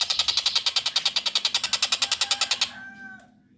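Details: Young long-tailed shrike giving a rapid, regular series of harsh, scratchy notes, about seven per second, for over two seconds before stopping.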